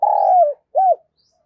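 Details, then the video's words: Spotted dove decoy call used to provoke and lure wild doves: a long, steady, slightly falling coo, then after a short pause a brief arched coo note. Nothing else is audible. "Tiếng Chim Cu Gáy Mồi Kích Bổi"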